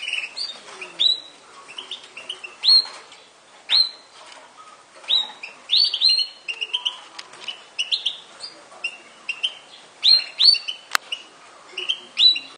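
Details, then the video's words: Yorkshire canary uttering repeated sharp upslurred whistles and chips, several per second in loose bursts, with a single sharp click near the end. "kenari yorkshire"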